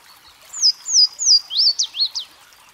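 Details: Song of a Louisiana waterthrush, opening with three loud slurred whistles that fall in pitch, then breaking into a short, rapid tumble of chippy, zigzagging notes.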